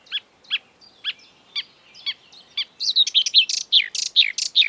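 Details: An exuberant marsh warbler, a mimic of European and African birdsong, opens with spaced, downslurred chip notes about every half second, then breaks into a dense, hurried jumble of buzzy, whistled and scratchy phrases.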